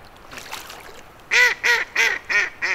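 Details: A female mallard on a non-freezing wintering pond at Dufferin Islands, Niagara Falls, gives five loud, harsh, nasal quacks in quick succession, about three per second, after a few faint quacks at the start.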